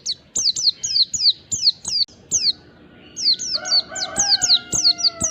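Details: Oriental white-eye (pleci ngalas) lure song aimed at eliciting replies from other white-eyes: steady high slurred notes in rapid succession, with a rooster crowing underneath in the second half.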